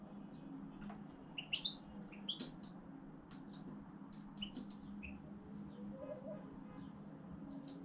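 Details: A young pet European goldfinch just beginning its song lessons gives scattered short, sharp, high chirps and tweets, grouped around the second and fourth-to-fifth seconds, over a constant low hum, with a soft low warble near the end.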